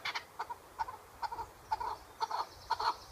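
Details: Chukar partridge calling in spaced, quieter chuck notes, often paired, about two a second, with some short breaks between them.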